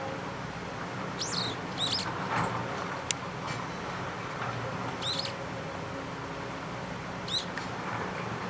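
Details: Daurian redstart beside a river in the mountains of Kanagawa, Japan, on 16 November 2011. Thin, high, sharp call notes come about five times at uneven intervals over steady broadband rushing noise.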